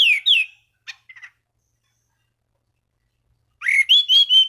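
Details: Orange-banded thrush calling rivals to stimulate other thrushes to sing, with two falling whistles, soft chips, a silent gap, then a loud series of repeated looping slurred notes.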